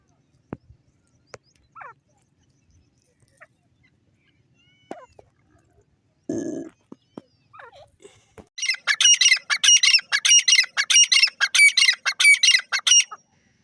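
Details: Grey francolin giving a loud run of harsh, repeated ringing phrases in the last five seconds, preceded by quiet scattered clicks, a brief rustle and soft faint sounds.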